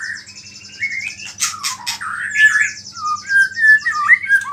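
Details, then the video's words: White-rumped shama delivering mimicry-rich song intended to stir other shamas: rising and falling whistled slurs, a couple of sharp clicks, then clearer fluting notes, over a low constant hum. "MURAI BATU GACOR ISIAN BURUNG KECIL"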